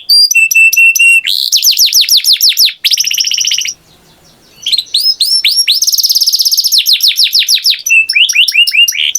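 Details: Canary singing a long varied song: rapid buzzy trills and rolls, runs of quick repeated sweeping notes, and a brief pause near the middle before the rolling, rattling phrases resume. No other sounds are heard.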